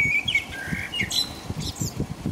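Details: A common blackbird in England sings around 5 a.m. in the middle of the night in the rain, giving mellow, fluty whistled phrases that break into a higher squeaky twitter over a steady low patter of rain.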